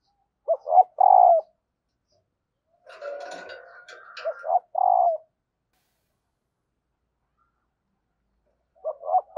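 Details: Female spotted dove calling to stir males into cooing: short paired coo notes, then a burst of rustling noise, another pair of deep, hollow coos, and a fresh pair starting at the end.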